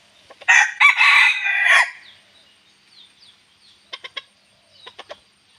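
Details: Bantam rooster with white cheeks, moulting in the rainy season, crowing when asked: one loud, harsh crow lasting over a second, followed by a few quieter clucks and clicks.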